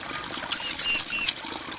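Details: Bar-winged prinia in a female-and-male calling exchange: a thin, very high, level whistle drawn out in three joined segments, sounding almost like a sustained squeak.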